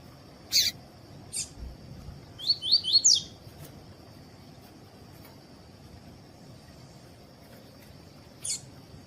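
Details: Double-collared seedeater in tui tui style with a female for contest warm-up: isolated sharp clicks, then a fast burst of four falling whistled notes, against a constant faint high whine.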